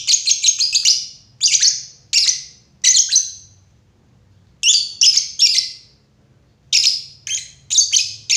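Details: Shrill, rasping chirps from a lovebird delivered in tight clusters of three to four, broken by brief silences, the notes high, harsh and slightly buzzy.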